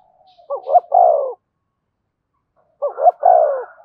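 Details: Caged decoy spotted dove cooing to excite a freshly caught male. It gives two matching phrases about two seconds apart, each a pair of clipped hooked notes leading into a longer, husky, descending coo. There is little background sound.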